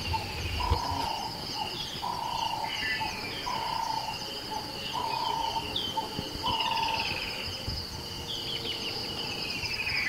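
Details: A nightjar in the early morning in Kruger National Park, South Africa, gives short, low, hollow notes about once a second, over a steady high insect drone and scattered whistles from other birds.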